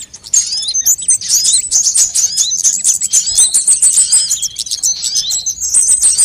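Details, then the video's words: Sunbirds, a recording used as a lure to attract birds and as a master tutor to get birds singing: dense, very high, thin twittering with rapid chips and short trills, nearly continuous for six seconds. "suara pikat semua jenis burung kolibri"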